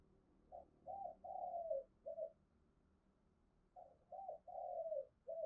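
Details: Spotted dove cooing to provoke fighting: two quiet phrases about three seconds apart, each a brief note, a short coo, a long burry coo gliding down, then a final coo, over a low background hum.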